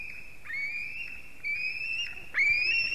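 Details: White-tailed eagle chick begging at a fish delivery by its mother, Durbe, Latvia, afternoon of 31 August 2020: drawn-out high whistles, each rising slightly then sliding upward, three in a row with the last loudest.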